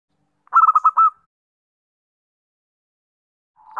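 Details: Zebra dove lure call, used to attract other birds: a loud stuttering coo of about six quick, mellow notes run into a short held note. A long silence follows, then the next coo begins.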